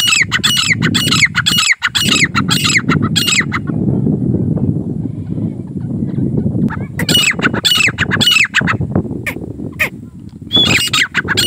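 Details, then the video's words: Grey francolin gives a run of harsh, repeated squawking notes for about three seconds. A stretch of rumbling noise follows, then scattered bursts of the same ringing calls return near the end. "teetar ka awaz calling Partridge sounds Francolin voice"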